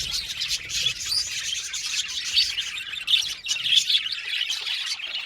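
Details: Budgerigars, a colony of Australian parakeets in an aviary, chattering together: a dense, continuous mix of high chirps, tweets and short warbled notes from many birds, with no pauses across the whole stretch.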